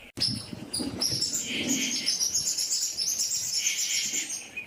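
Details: Yucatan jay with a dense, continuous run of high chattering and twittering notes, busy throughout with overlapping chirps and a faint low rumble underneath.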